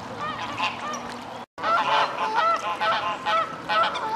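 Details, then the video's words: Mute swans at Reddish Vale Country Park, parents ready to nest chasing away their three surviving cygnets hatched in June 2011; overlapping harsh nasal honks and whistly rising calls, several birds calling at once with a brief gap. "Mute Swans Chasing Their Cygnets Away"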